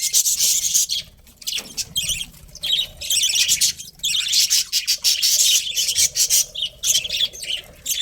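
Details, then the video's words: Budgies keep up dense, loud chirping: long runs of scratchy, buzzing warbles and rapid tweets, pausing briefly around two and four seconds before resuming. "Cute Budgies Chirping Sounds"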